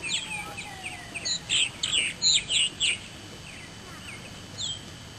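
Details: Purple martins at a small colony in South Eastern Indiana, building nests in early May at mid-morning; bright, gurgling high chirps in a quick burst of about ten notes, then quieter calls, with a faint low tone underneath.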